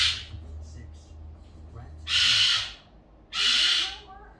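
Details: A Goffin's cockatoo about 15 years old, indoors in the middle of the day, gives loud, harsh screeches, each about half a second long and spaced over a second apart, over a low indoor hum.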